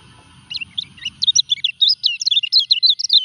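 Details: A caged kecial kuning, still singing during its moult, starts with a few spaced chirps that build into a fast, high twittering run. A faint low hum sounds underneath.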